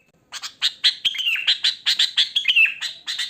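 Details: Wild sooty-headed bulbul in natural song, no mimicry, for luring bulbuls: a lively rapid chatter of bright notes with slurred downward whistles woven through.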